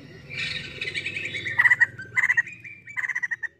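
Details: Female white-crested laughingthrush, known locally as poksay jambul, chirping busily: soft mixed notes open, then bursts of fast, even pulses, each short run stopping and restarting several times.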